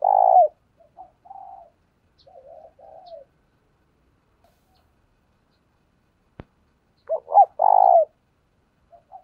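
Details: Decoy spotted dove calling to lure wild doves: a loud low rolling coo phrase opens, then softer broken cooing notes, a long silence with one sharp click, and a second loud multi-note coo phrase near the end.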